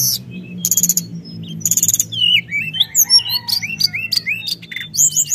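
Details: Sunda whistling thrush in full song, used to provoke other birds: bursts of high buzzy trills give way to a run of sliding, curved whistles and short chirps, steady low hum in the background.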